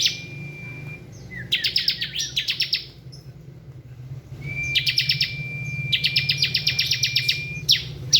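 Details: Bar-winged prinia singing ngebren: two long runs of rapid, shrill, clipped chirps, each run preceded by a sustained thin whistle, with a steady low hum underneath throughout.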